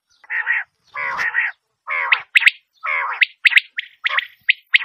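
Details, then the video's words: Common quail: nasal, harmonic wavering notes alternating with sharp, high clipped notes in irregular succession. "бедана сайраши Batair Ki Awaz"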